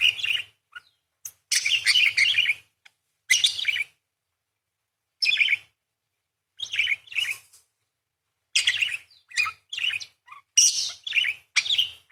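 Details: Chattering parakeet song, described as long bursts with 'beset' and 'crecet' rolls, heard as scratchy, buzzy warbles in short clusters separated by brief silences over twelve seconds, growing denser toward the end.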